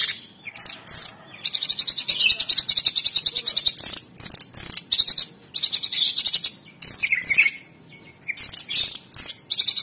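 Light-vented Bulbul in sustained bursts of rapid, high, chattering notes, each run lasting one to two seconds, broken by brief pauses and a few clearer whistled phrases.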